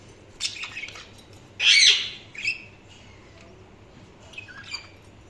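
Budgerigars chirp in short, scratchy high bursts, with one loud squawky chatter in the middle and quieter twittering notes before and after.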